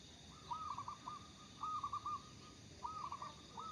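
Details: Energetic local zebra dove, used as a lure, repeating rapid rolling coo phrases of four to five mellow notes, three phrases in quick succession over low background hiss.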